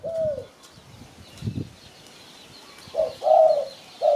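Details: Mellow spotted dove coos, a lure sound for catching birds: an isolated coo, a long quiet gap with faint rustles, then a loud two- or three-note cooing phrase.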